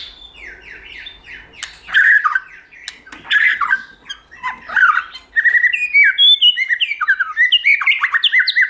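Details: Multi-voiced White-rumped shama song for stimulating and training shamas: harsh loud bursts and chattering phrases, then a long run of quick, varied, sweet whistled notes and trills.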